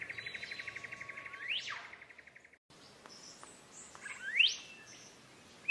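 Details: Song of a green leafbird, played to train cage birds: a rapid even trill ends in a rising sweep, then after a brief break more chirps and another loud upward-swept whistle.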